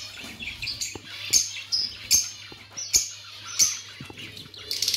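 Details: Budgerigars chirping: soft warbling chatter punctuated by short, clear, high whistled chirps at irregular intervals, with light clicks and a constant low hum.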